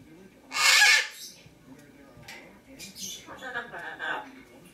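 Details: Captive Lesser Sulphur-crested Cockatoo at home, 23 September 2010: one loud, raspy screech lasting half a second near the start, followed by quieter chatter and a macaw's talking in the background.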